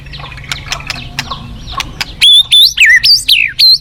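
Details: Wild forest white-rumped shama: soft distant notes and ticks at first, then a loud burst of high, sharply swooping whistled notes in quick succession, with faint flowing-water sound beneath.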